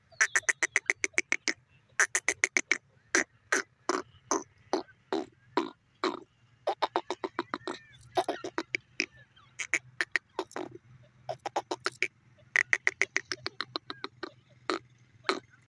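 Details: Grey francolin, called teetar, giving a long series of harsh, clicking rattles in rapid bursts of several notes each, repeated almost without pause for about sixteen seconds over a faint low hum.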